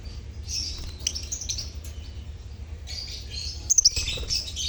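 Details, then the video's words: Lovebird colony chatter used to coax mute lovebirds into singing: short bursts of shrill, scratchy chirps that come and go, with a loud cluster near the end over a low background hum. "Pancingan Suara Lovebird Koloni untuk pancingan lovebird bisu"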